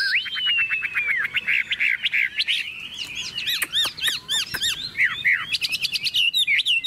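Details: Caged Chinese hwamei singing vigorously: a long clear whistle sliding down, then varied loud phrases of rapid repeated notes, upward-swept whistles and sharp trills, continuous and rich.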